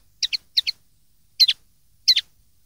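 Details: Common linnet twitter used to tutor young linnets (2013): four quick high double chirps, two close together, then two more after short pauses.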